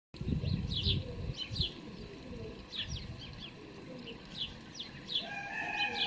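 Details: Fledged house sparrow young being fed by a parent on 12 May 2019: repeated short, buzzy chirps in quick bursts, with a dove cooing, wing flutters and another bird's thin whistles behind.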